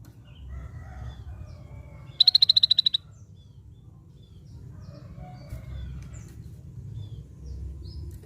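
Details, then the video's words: A scaly-breasted bulbul gives a single emphatic burst of about ten quick, high, pulse-like notes in under a second, followed by quiet, scattered chirps and a low rumble. "suara khas burung cucak bersisik"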